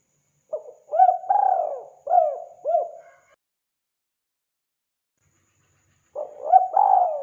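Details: Spotted dove calling vigorously, recorded as a hunting sound: a full phrase of mellow coos, a stuttered opening, a long slurred note, two clipped hooked coos, then about three seconds of silence before the next phrase begins.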